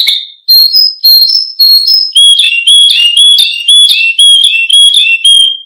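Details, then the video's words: Canary song used as a training model for other birds: loud, clear whistled notes, first long even tones, then rapid repeated chirping phrases with sharp upsweeps, about two notes per second, steady and bright throughout. "Suara Kicau Burung KENARI Untuk Pancingan Dan Masteran"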